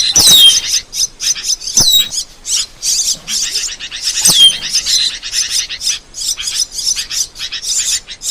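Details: Asian glossy starling (cucak keling) in a master recording for training birds and luring: dense high chattering chirps with sharp whistled notes sweeping downward, overlapping as from several birds, continuous throughout.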